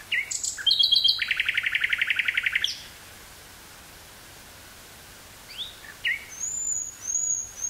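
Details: Common nightingale singing in woods near Burgh-Haamstede, Netherlands, May 18th 1983, on a portable cassette recorder: whistled notes, a long rapid buzzy trill, silence, then rising whistles and high thin repeated notes.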